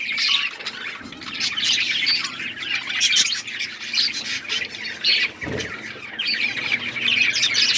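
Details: Group of budgies chirping in dense overlapping warbles and squawky tweets, with a faint low hum beneath and a single dull thump past five seconds.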